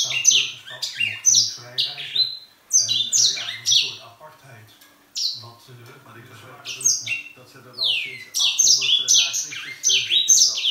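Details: Grey singing finch kept indoors, which sings all day long: rapid, high-pitched warbling song of sliding and trilled notes in quick bursts, with short pauses between phrases and a faint low hum in the room.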